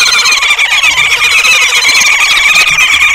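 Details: A Red-billed (Green) wood-hoopoe family causing a commotion in a suburban garden in Pretoria, South Africa, cackling together in a loud, unbroken chatter of harsh, rapid, high-pitched overlapping notes.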